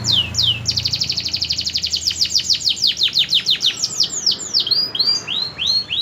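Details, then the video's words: A singing canary runs through rapid high-pitched chipping trills that slow into repeated downward-swooping whistles, ending with lilting slurred notes; a soft low rumble sits beneath. "Burung kenari prospek"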